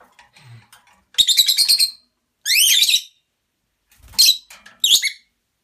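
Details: Pet lovebird talking beside two other lovebirds, one in a cage: bursts of shrill, harmonic chattering syllables, a sustained wavering squeal, then two short sharp chirps, all in short phrases separated by brief silences indoors.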